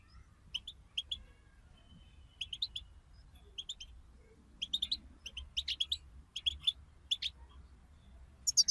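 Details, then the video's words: European goldfinch chirps from a group chorus of the bitbita twittering style used to stimulate a goldfinch to sing: short bright notes in clusters of two or three, scattered across the recording, over a low background hum. "أخرج حسونك من صمته واكتشف التغاريد المخفية لديه.. بتبتة رهيييبة وتحفيز خراااافي"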